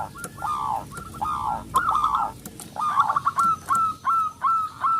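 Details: Zebra dove of local stock, a loud bird used as a lure to excite other doves; drawn-out, slurred cooing notes run together, then a series of clipped coos, with faint background noise.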